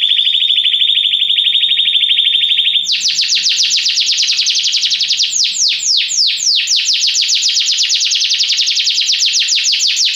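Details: Belgian canary with a steady, buzzy, mid-high rolling trill that suddenly jumps higher into a long chain of loud falling sweeps, repeated rapidly without pause.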